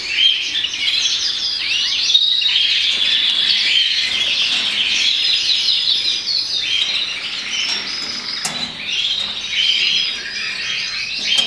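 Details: Agat opal red mosaic canary, a melanin colour-type canary, singing a long, continuous, fast warbling song of rolling trills and chirps that runs without pause for the whole stretch, with a few sharp clicks and some faint background noise.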